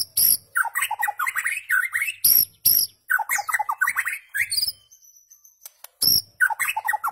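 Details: White-rumped shama singing, a recording meant for teaching goldfinches and their hybrids rare notes: loud phrases of tumbling, scratchy, rapidly varied notes and high sharp clicks, with brief gaps between bursts.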